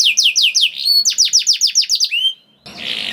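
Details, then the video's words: Canary song used to make other canaries sing: a run of about a dozen evenly spaced down-slurred notes, a rising whistle, a brief pause, then a buzzy hiss. "PANCINGAN KENARI GACOR DOR NGEREK PANJANG INI AMPUH BIKIN KENARI LAIN BUNYI"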